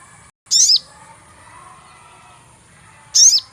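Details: Two sharp, very high chirps from a sogon bird, each with a falling tail, spaced about two and a half seconds apart. The recording is used as a lure for trapping, and faint mid-range noise lies between the chirps.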